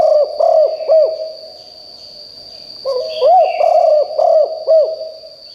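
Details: Spotted dove used as a decoy to call in wild doves, giving hollow, throaty coos in quick phrases: one phrase ends, a short gap follows, then another begins. A constant thin high whine continues throughout.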